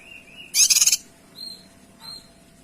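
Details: Kinoy in full lively voice: a thin steady whistle, then a loud pulsed rattle of about six rapid beats, followed by two short high whistled notes.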